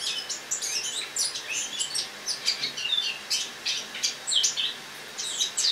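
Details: Indoor recording of a caged Eurasian blackcap's autumn song on a 1 October 2017 morning, the bird newly brought into a kitchen for winter; dense, scratchy, high-pitched twittering in quick uneven bursts.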